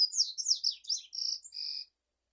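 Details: Double-collared seedeater song, a loud rush of rapid scratchy high notes ending in two drawn-out steady whistles, then silence.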